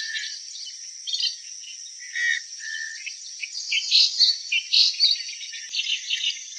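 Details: Clamorous reed warbler song with varied harsh and whistled notes, then bursts of rapid chattering phrases, set against a constant shrill background buzz.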